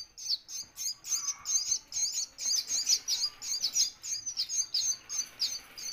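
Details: Baby parrots calling for food during feeding, giving steady, high, scratchy chirps in rhythmic pulses of about three per second, each slightly buzzy and wavering, with nothing else clearly heard.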